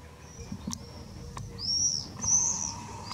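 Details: Common swift under a roof gutter on the Drostlaan, 31 May 2020: two shrill, drawn-out high screams in close succession, with a few faint clicks and low background hum.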